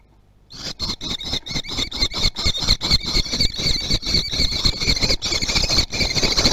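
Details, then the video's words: Common kestrels at a nest in Théding, recorded on 18 June 2020 as an adult delivers a lizard. A continuous stream of shrill, squealing calls repeats rapidly for several seconds, with scuffling sounds. "Livraison d'un lézard"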